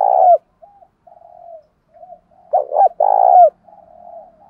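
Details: Cu gáy, the spotted dove, in the thunder-like thổ sấm voice used to lure: a rolling low coo opens, soft murmuring notes follow, then a stuttering double note and a long hoarse coo before more quiet trailing sounds.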